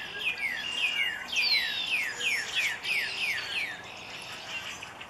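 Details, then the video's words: Northern cardinal song: a steady series of clear whistled notes, each sliding sharply downward, repeated about three times a second in short runs, over a light background hiss. "Cardinal rouge"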